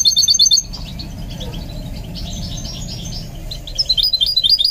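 A goldfinch mule sings bright, rapid, high tinkling twitters, in a burst at the start and again near the end, with softer chatter between.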